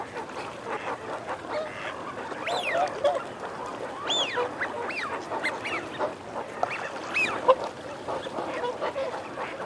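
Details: Male and female Eurasian wigeons: clear, arching whistled 'wheeoo' notes from males, several in quick succession, over a low murmur of growling from females and chatter from a large flock.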